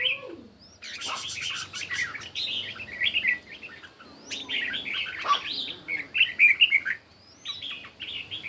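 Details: Morning song contest of red-whiskered bulbul: a low slurred note opens, then dense sweet warbling phrases run almost continuously, with rattly clicks near the start and one bright upslurred whistle late.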